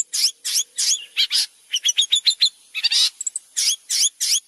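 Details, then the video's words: Long-tailed shrike, a steady singer used to train white-rumped shama: alternating rough scratchy bursts and short bright chips in quick succession, with brief high squeaks between the harsh phrases. "suara cerndet gacor cocok buat masteran murai batu"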